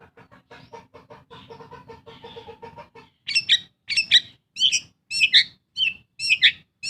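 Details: Long-tailed shrike kept as a pet, singing as a lure for birds that have stopped singing: soft, lower twittering notes at first, then loud, harsh paired chirps at a steady, unhurried pace.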